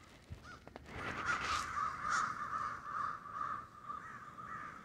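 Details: A murder of crows roosting in the snow in Denver, a dense overlapping chorus of harsh caws building after the first second and continuing without a break.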